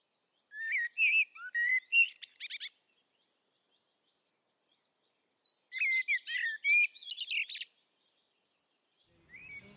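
European Robin singing two short verses of high, thin, varied warbles and drawn-out wavering notes, separated by a measured pause of about two seconds.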